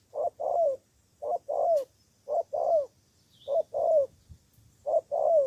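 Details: Spotted dove decoy from Cà Mau, Vietnam, calling to lure rival doves: mellow two-part coos, a brief note then a drawn-out falling one, repeated evenly about every second in quiet surroundings with a faint distant chirp.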